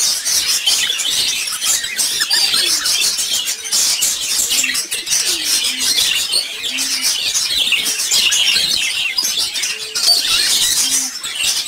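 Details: Caged, brightly colored lovebirds calling together in a steady, crowded chatter of piercing, high-pitched chirps and squeaks. Brief soft low notes sound now and then, and the flock noise swells and dips slightly without pausing.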